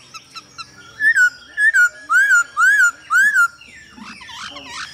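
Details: A male hwamei sings a run of five loud, clear whistled notes, each arching up then down, about half a second apart, then softer scratchy chatter; a female's calls are used to provoke the male.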